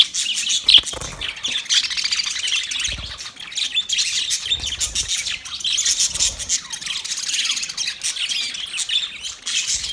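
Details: Caged budgerigars keep up a continuous busy chatter of high twittering, scratchy squawks and clicking notes, with a few low thumps in the background.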